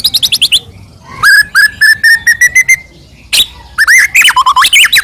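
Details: White-rumped shama song aimed at getting other shamas to sing: a fast trill, then a steady series of about ten repeated whistled notes, followed by upward-swooping looping phrases.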